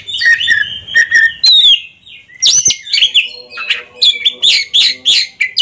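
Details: Caged Oriental magpie-robins at a contest duel: paired whistled notes, rising slurred whistles, then a quick series of harsh, rasping bursts repeated rhythmically.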